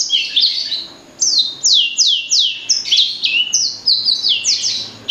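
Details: Loud, ringing song from a blacksang, crossbred from a blackthroat and a sanger: a series of strong down-sweeping whistled notes mixed with fast high twitters.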